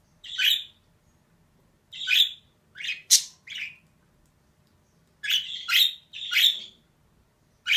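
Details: Female budgerigar uttering rough, high chirps and squawks, single and in quick runs, including one sharper piercing note, over a faint steady hum.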